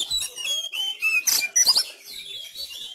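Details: Caged Sumatran Oriental magpie-robin at home during the Covid-19 lockdown, singing in fighting style: thin high whistled notes and slurred glides, with a few loud sharp chips in the middle.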